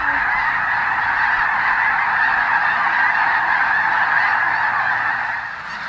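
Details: Thousands of wintering snow geese at Bosque del Apache Wildlife Refuge, New Mexico, taking off together and flying in unison; a dense, continuous roar of overlapping nasal honks from the huge flock, steady throughout, fading slightly at the end.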